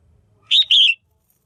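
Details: Caged female red-whiskered bulbul calling to stimulate males or for pairing: one bright, clear two-part chirp. A sharp first note is followed by a slightly longer, slurred, falling note. Faint low hum before it.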